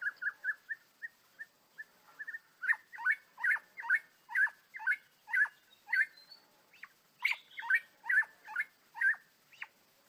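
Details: Angry, trapped white-rumped shama in the wild: a long series of short, clipped mid-pitched notes repeated about every half second, some louder doubled notes, in an otherwise quiet setting.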